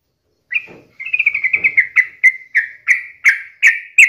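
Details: Lively sooty-headed bulbul song used as a daily lure to get other bulbuls singing: one clear note, then a rapid string of short whistled notes slowing into evenly spaced bright chirps, with faint low rustling underneath.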